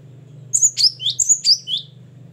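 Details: A short, lively phrase from a gelatik batu, or Great tit, in ngeplong and gacor style: about six piercing, slurred whistles within a second and a half over a low steady hum.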